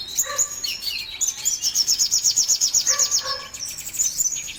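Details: Competition-bound kolibri ninja sunbird in energetic song: a fast, even trill of high pulsed notes, about four per second, framed by thin whistles and a few lower chips.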